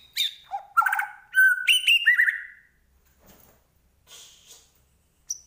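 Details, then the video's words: Medan white-rumped shama giving a short burst of clear whistled notes at varied pitches, some buzzy, followed by near silence with faint rustling and one final high note. "Murai Batu Medan Gacor Full Isian"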